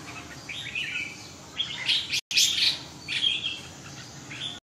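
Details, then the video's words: Red-whiskered bulbul delivering short bright whistled and chirped phrases, a loud burst in the middle broken by a brief gap of silence, steady background hiss. "Kênh về chim Chào mào"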